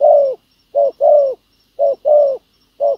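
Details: Spotted dove coos while a ground decoy draws in a wild field dove. Three pairs of soft hooting notes follow: a clipped coo, then a longer, slightly descending one. The pattern repeats steadily in near silence.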